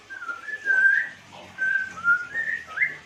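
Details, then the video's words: Melodious chirping of an African grey parrot: smooth, level and gently rising whistles in a few connected phrases, the loudest note swelling in the middle, over faint low background hum. "kicau afgrey yang syahdu bikin klepek-klepek"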